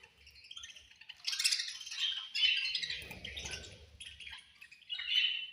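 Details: Budgerigars chirping at food time: busy high warbles and squawky chirps from several birds overlapping, with a soft low rustle midway.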